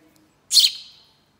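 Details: House sparrow, Passer domesticus: a single loud, harsh chirp that falls slightly and fades over about half a second, with a faint low hum just before it.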